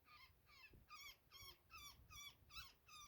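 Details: Quiet but clear series of rasping, nasal distress calls from a woodpecker caught in a net, about two and a half per second, evenly spaced, with faint low background murmur.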